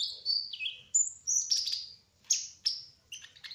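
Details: Trotol kolibri ninja sunbird singing energetically: slurred, high twittering phrases that dip and rise, followed by several sharp, descending chirps in quick succession.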